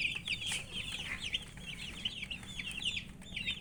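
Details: Young chickens thirsty for drinking water give rapid high peeps, several chicks at once, the sharp downward chirps running together in an unbroken twittering over a low background hum.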